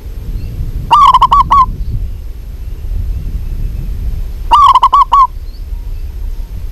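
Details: Calling female zebra dove, local type, summoning a male with two bursts of quick, rolling coo notes roughly three and a half seconds apart. A low rumble of background noise fills the gaps.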